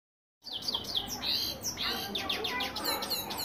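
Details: European goldfinch singing in a rolling style: a dense, fast twittering of high, bright, slurred notes and trills running without pause after a short silence at the start.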